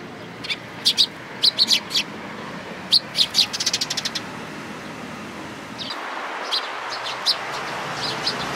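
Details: Flock of sparrows gathered at food at a Tenmangu shrine, 11 April 2018, giving scattered high, sharp chirps in short bursts, with a rapid stuttering series near the middle; steady hiss grows louder toward the end.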